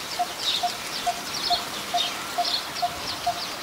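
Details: A very common resident of Ubon Ratchathani, Thailand, this coppersmith barbet was recorded on 2 January 2021. It repeats a dull, hollow 'tuk' eight times at a brisk, regular pace, while thin high chirps of other birds are heard behind it.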